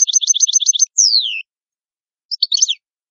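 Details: Italian goldfinch song: a rapid run of paired high twittering notes, then a long descending slurred whistle, a pause and a short burst of tinkling chirps, all high-pitched and clean against silence.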